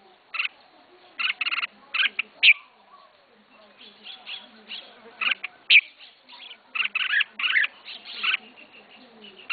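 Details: A first-time keeper's caged red-whiskered bulbul delivers scattered bright chirps and short warbled phrases with irregular pauses. Faint low rumbling sounds lie underneath.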